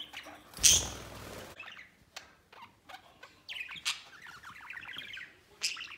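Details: White male pet budgerigar out of its cage, playing on a playground and flying over the cage. A loud rustling burst comes early, then soft chattering warbles of quick chirps and clicks fill the second half.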